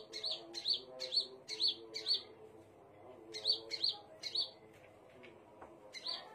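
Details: Scarlet minivet giving bursts of high sharp chirps, five in a row, then a pause, then another short run, over a quiet low drone.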